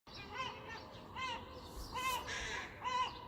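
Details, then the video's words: On a clear Sunday morning, with seagulls and tits also singing, a crow gives four harsh, hoarse caws, roughly one every second, over a steady outdoor background hiss with a brief noisy rustle midway. "Crows, Seagulls, Tits singing"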